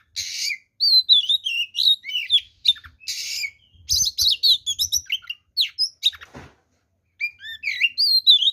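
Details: Combative oriental magpie-robin song full of varied filler phrases, meant to rile rival males: bright whistled slurs, raspy hissing bursts and rapid chirps, with a pause before clear rising and falling whistles resume.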